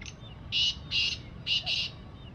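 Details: Harsh, scratchy call of a black francolin: four loud grating bursts in two close pairs within about one and a half seconds. Background is quiet apart from a low steady hum.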